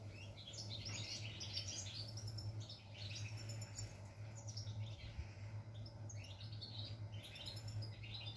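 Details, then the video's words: European goldfinch song recorded 11 July 2020: rapid, continuous high twittering and chirping phrases throughout, with a steady low electrical hum underneath. "GOLDFINCH SONG"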